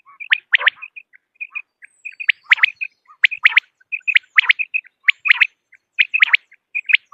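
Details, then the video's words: Common quail call, a recording used to lure quail for hunting: dense, overlapping bright clipped notes in quick pairs and triplets, with softer short chirps between, nearly continuous and somewhat irregular, suggesting more than one calling bird. "بٹیر کی اواز 1 گھنٹے کی Quail Beautiful voice"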